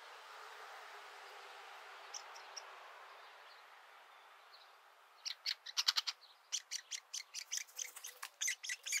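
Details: Woodpecker nestlings being fed, looking out of the nest for the first time; a quiet, hissy stretch, then a sudden run of loud, rapid, buzzy begging notes in the second half.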